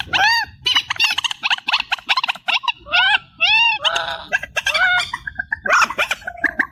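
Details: Amplified reed warbler song: continuous harsh, grating chatter mixed with arched, slurred whistled syllables, delivered rapidly with almost no gaps over faint low background rumble.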